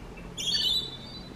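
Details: Rainbow lorikeet, a very common bird of urban eastern Australia: a single shrill, scratchy screech lasting about half a second, high-pitched and slightly descending, against faint low background hum.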